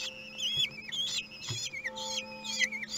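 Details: Feeding time at a common kestrel nest in Théding, France, 2 June 2020, webcam recording: quick series of thin, wobbling whistles that slide down at their ends, with a faint steady hum beneath.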